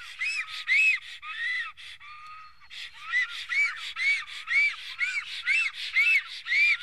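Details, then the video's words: Nest-defending black stork, Estonia, 15 April 2018 around midday: hoarse, curved whistles in quick succession, briefly broken by a short lower flat tone, then resuming at about two notes per second. "Must toonekurg~Nest defending"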